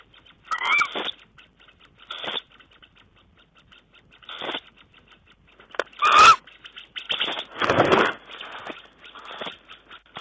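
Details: Tawny owl recorded on 5 June 2010: several short, harsh, hissing bursts spaced irregularly over about ten seconds, the loudest near the middle and end, with quiet gaps between.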